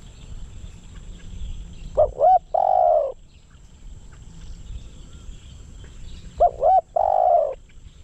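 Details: Caged decoy spotted dove calling to lure wild doves, two identical phrases roughly four and a half seconds apart, each a pair of brief looping coos and then a sustained low croon.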